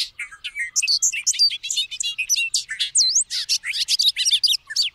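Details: Bobolink pouring out a long, tumbling cascade of squeaky, metallic, robot-like notes, including a clear V-shaped whistle midway, delivered rapidly and continuously with wide jumps in pitch.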